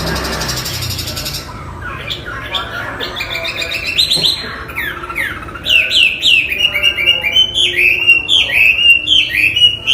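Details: Chinese hwamei, a cage bird, beginning with scattered quieter notes, then launching into loud rhythmic whistled phrases, each note sharply downslurred and repeated several times a second.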